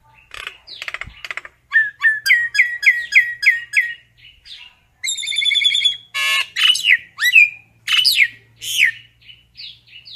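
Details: Common myna calling its flock: rapid run of harsh chattering bursts, then a string of repeated whistled, downward-sliding notes, followed by loud rasping squawks and further bent whistles, roughly three to four notes per second.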